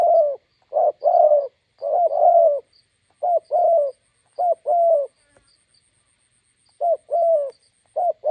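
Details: Spotted dove, a decoy bird meeting a wild bird beside a roadside in Gia Lai, Vietnam, gives paired coos, a short note then a longer one. Several pairs come at irregular gaps, with faint high chirps of small birds and a thin steady whine.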